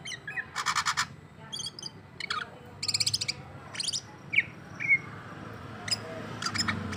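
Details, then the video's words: Cucak ijo, the greater green leafbird, in Ondo Rante style with jamtrok character, provoked by a rival: buzzy rattling bursts alternate with thin whistles and short chirps. "ijo Ondo Rante bikin emosi lawan karakter jamtrok"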